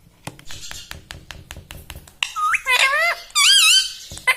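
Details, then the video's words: Pet parrot, known as a talking parrot that says 'Mummy' and 'Mitthu', in a small room: regular soft taps for two seconds, then several loud harmonic voice-like syllables that swoop and waver, the last one high and wavy. "Talking Like a Human - Mummy Bolne Wala Tota - Talking Parrot"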